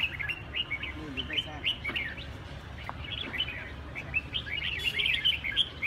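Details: Red-whiskered bulbul, labelled 'Huế cánh', giving a rapid run of short bright chirped and whistled notes, many sharply rising or falling, clustered in quick bursts throughout, with a low steady background rumble.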